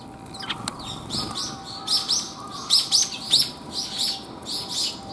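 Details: Cute sparrows in a back alley on 28 January 2022, heard on the way out: bright, high chirps begin after a quiet start and come in an uneven run of short notes over the last three seconds, with a steady low hum behind.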